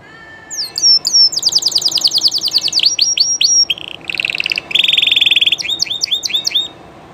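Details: Llarguet Español canary, a well-known legendary breed, singing live: varied song of sliding whistles, a rapid rolling trill, buzzy low rattles, a sustained churring roll and final quick downslurred notes, loud and clear.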